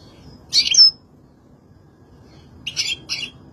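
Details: European goldfinch giving two short bursts of high, bright twittering notes, the first near the start and the second about two seconds later, with quiet pauses between.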